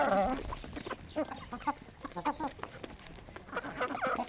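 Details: Healthy Aseel hens at a village chicken farm, eating traditional desi feed during early-morning feeding; soft clucks and short harmonic calls come at uneven intervals, with a burst of layered calls at the start and more toward the end.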